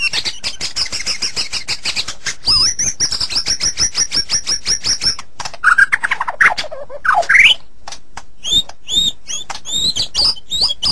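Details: White-rumped shama masteran recording with long rapid high trills, brief swooping whistles midway, and short repeated high chips toward the end.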